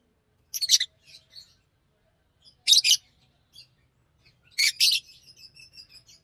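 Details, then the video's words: Green Fischer's lovebird singing: three bursts of rapid, rasping double chirps roughly two seconds apart, the last followed by a soft, thin, twittering trill. "Lovebird singing and chirping sounds-Green Fisher"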